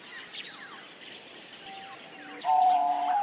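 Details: Diamond dove giving a loud, steady, slightly wavering mid-pitched coo near the end, after quieter faint tones, while other small birds chirp and twitter in the background.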